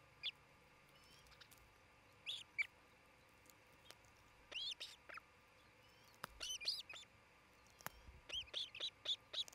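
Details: A nesting osprey pair near Charlo, Montana, nest camera, 27 June 2018: sparse high chirps early, then a quickening series of clipped, whistled notes toward the end, over low steady hiss.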